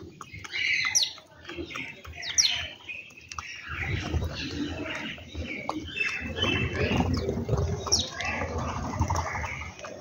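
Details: Morning birdsong around a home: busy, overlapping high chirps and twitters, with a rustling, murmuring background that swells in the second half.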